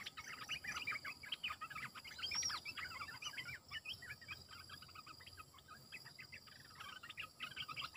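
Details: Caged red-eyed bulbul decoy singing dense runs of quick chattering, bubbling notes almost without pause, with one clear upward-arching whistle and steady insect background.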